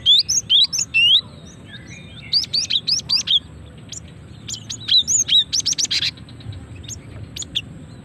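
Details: Female cinereous tit calling males, a lure for provoking song: repeated loud upslurred whistled chirps in quick bursts, mixed with rapid sharp chip rattles, continuing for several seconds with short pauses.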